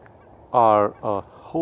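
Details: Swans give loud, nasal honking calls, one long note, a shorter one and the start of a third, rich and bugle-like, heard in early January at Ridgefield National Wildlife Refuge, Washington, on a morning with swans heard and seen flying around.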